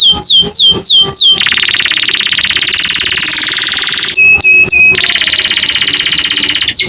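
American Singer canary singing: a few quick downward-swooping whistles, then a long, rapid rolling trill, brief pure piping notes, and another fast trill.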